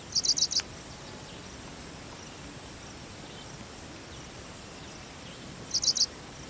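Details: A Paddyfield pipit calls with two quick bursts of three or four high, sharp chipping notes, about six seconds apart, over a steady high insect hiss.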